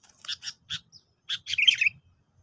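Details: Sooty-headed bulbul lure song used for trapping birds. Short, quiet, bubbly chattering phrases: a few separate chirps, then a brief tumbling warbled run.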